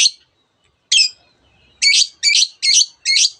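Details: Singing long-tailed shrike that mimics canary and other birds: two separate high notes, then four loud, rich, buzzy phrases repeated in steady succession.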